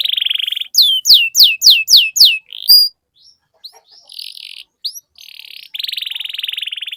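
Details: Lure song of a canary for making other canaries sing: a buzzy trill, a run of six falling whistled notes, scattered short phrases, then a long steady rattling trill.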